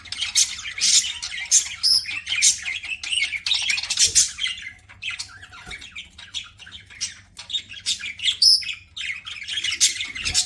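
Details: Pet budgerigars chirping while eating, a busy stream of scratchy chirps, squawks and warbles, with short bursts repeated irregularly over several seconds and a faint low hum underneath.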